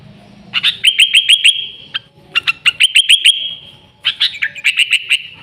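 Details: Sooty-headed bulbul singing energetically, an original recording without added fill-in songs, used as a lure to attract and excite bulbuls; three bursts of rapid, bright repeated chirps, about six notes each, separated by short pauses.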